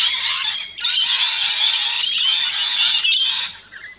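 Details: Rainbow lorikeets at a feeding station in an Australian backyard give loud, continuous harsh screeching and chattering in two long bursts, fading out at the end.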